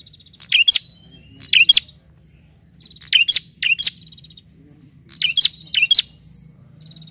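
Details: Bar-winged prinia calling to a rival with sharp, bright double chirps given in three quick pairs, each pair separated by roughly a second of quiet, over a faint thin whistle and low background hum.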